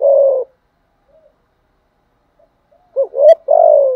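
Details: Spotted dove used to rouse wild-caught doves into calling: one long, low, falling coo, a quiet gap of about two seconds, then quick short hooked notes leading into another drawn-out coo.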